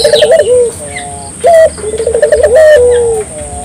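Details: Barbary dove in eager song to stir local doves into singing: low bubbling trills, each followed by a smooth falling coo, in two clear phrases, with faint high chirps behind.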